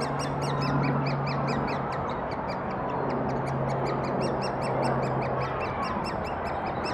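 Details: Thurrock woods, 20 May 2014: great spotted woodpecker adults feeding chicks, filmed on a Finepix HS50EXR; fast, regular high-pitched ticks repeat several times a second, with a low steady drone and background noise.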